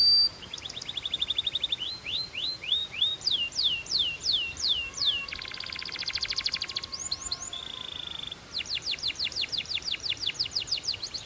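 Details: Belgian canary singing: rapid series of repeated chips, then slower down-swept whistled notes, a dense buzzy rattle midway, and a final fast run of sharp repeated notes.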